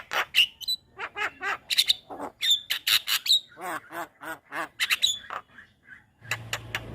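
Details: Master song of a Javan myna, meant to train young birds. Busy chatter of clicks, nasal rattling notes and sharp whistles runs continuously, followed by a quieter stretch with a low hum at the end.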